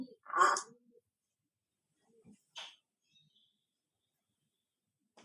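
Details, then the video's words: Female pet Congo African grey parrot talking and mimicking sounds indoors: one loud voiced, speech-like burst, then a short clipped syllable and faint fragments amid silence. "Best Talking Parrot"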